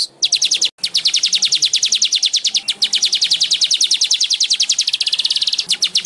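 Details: Baya weaver (Manyar) song on a training recording meant to get kept weavers singing often: a long fast run of high, dry, chattering notes, about eight per second, broken by one short gap near the start, quickening into a tighter trill near the end.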